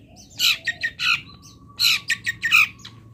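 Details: Local long-tailed shrike filler song meant for training: loud, harsh, raspy notes in two quick groups of three or four, with a thin steady tone running underneath.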